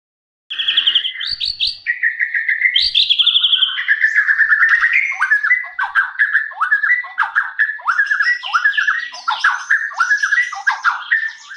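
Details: White-rumped shama song used to coax a bird that has stopped singing; an energetic, continuous stream of whistled notes, opening with clear steady whistles and then rapid downslurred chips and warbles.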